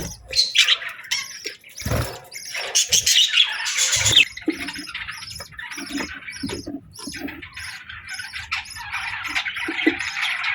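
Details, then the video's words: Afternoon whistles of budgies, a continuous scratchy warble of rapid chirps and chatter, louder bursts early on and a few low knocks in the background. "Budgie Afternoon Whistles"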